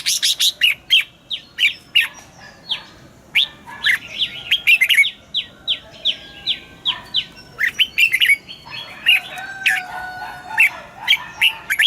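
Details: Red-whiskered bulbul morning song of wild double notes, for training caged birds: dense, lively warbled phrases mixed with rapid series of sharp downslurred whistles, continuous bright chirping throughout.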